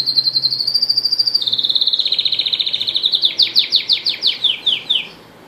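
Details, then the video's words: Singing red factor canary, separated so the female stays relaxed on her eggs: rapid pulsing trills stepping down in pitch, then slower loud swooping notes repeated about twice a second before ending. "Red factor canary singing"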